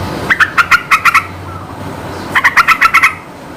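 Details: Yellow-vented bulbul song, used to provoke other birds into answering. Two bubbly bursts of about seven quick, rich notes each, separated by a pause of over a second, with a faint low hum underneath.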